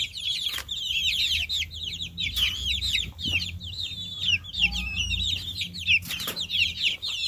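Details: Chicks chirping in a dense chorus: many high, shrill peeps overlapping nonstop, some rising and falling, with low rumbling and a few thumps underneath.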